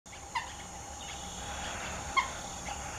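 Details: A common gallinule in a wetland in Pesquería gives two short, abrupt clucking notes about two seconds apart over a steady insect-like hiss and low background rumble.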